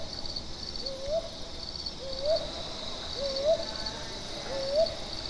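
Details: Brown hawk-owl (Ninox scutulata) at Buxa, Alipurduar, India, giving soft, low, rising hoots about every second, with a steady high trill of crickets behind.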